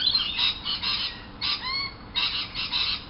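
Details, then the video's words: Several lorikeets outside a window squawk in an early-morning chorus. The calls come as rasping, screechy bursts, one of which carries a sliding, whistled overtone, with brief pauses between groups. "Lorikeet Alarm"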